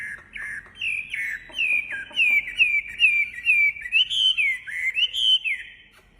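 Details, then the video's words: Wambi bird in active song, delivering a steady chain of clear, arched whistles, each rising then dipping, at a brisk, slightly uneven pace. "Suara Khas Burung Wambi Gacor Enak Suaranya"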